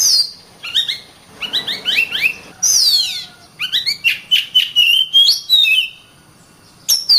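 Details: Energetic Oriental magpie-robin song: a rich, varied stream of loud whistles, rapid rising and falling slurs, sharp high sweeps and quick trilled runs, with brief pauses between phrases.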